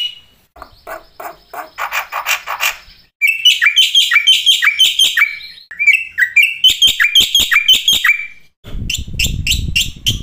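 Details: Black-winged starling masteran song full of isian fills, a lure to make starlings sing day and night: bursts of harsh chattering notes, rapid rattles and high sharp chips in abruptly spliced segments, ending with a broad noisy rush.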